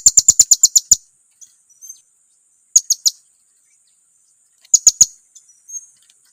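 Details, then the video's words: Lure call of a blue-crowned hanging parrot, used to rile up rival birds: a fast run of eight shrill high chirps, then pauses broken by a trio and a pair of sharp notes, with faint thin calls between. "suara pancingan serindit, bikin kawannya emosi"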